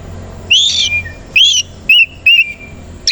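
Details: Oriental magpie-robin of the kacer koci type, fluffed with tail open in the morning; four loud, rich whistled phrases with short pauses between them.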